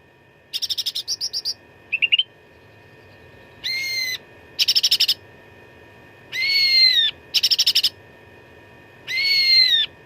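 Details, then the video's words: Cucak ranting (grey-bellied bulbul) in a "suara tarung" fighting song with rich fill-ins, meant for training contest birds: bursts of rapid buzzy chattering notes alternate with loud, harmonic whistles that slide down, against a steady low hum. "CUCAK RANTING GACOR TERBARU 2025 _ SUARA TARUNG FULL ISIAN !!!"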